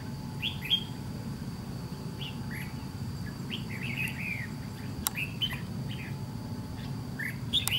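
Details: Red-whiskered bulbul, white-cheeked type, calling in a trap fight against a decoy: scattered short whistled notes, some rising or falling, spaced over several seconds, with a few sharp clicks and constant low background hum.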